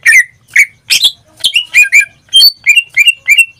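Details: Caged greater green leafbird singing loud, slightly harsh whistled notes, then a rhythmic series of five or six bright chirps spaced about a third of a second apart.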